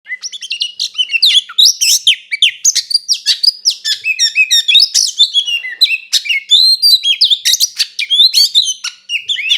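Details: Oriental magpie-robin in full fighting song, meant to provoke another magpie-robin and make it emotional. Dense, rapid run of varied high whistles, chirps and sharp rising and falling notes, almost continuous for ten seconds with no other sounds.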